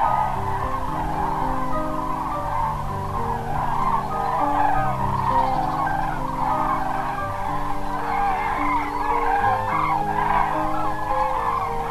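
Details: Steady instrumental music with sustained low chords and a bright midrange melody; no animal calls can be picked out.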